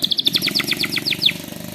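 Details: White-rumped shama delivering a fast rolling canary-imitation phrase: a rapid stutter of clipped high notes, around ten per second, sliding slightly downward, set against a persistent low hum.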